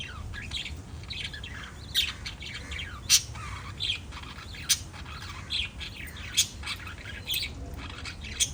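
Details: Five lovebirds in a family group chirp continuously: a dense chatter of shrill, squeaky notes, several callers overlapping, with sharper high squeaks roughly every second over a low, steady background hum.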